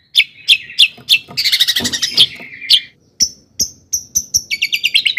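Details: Long-tailed shrike song used to provoke other shrikes into singing: harsh buzzy notes, a dense rattling burst, then sharp high chips and quick twittering phrases.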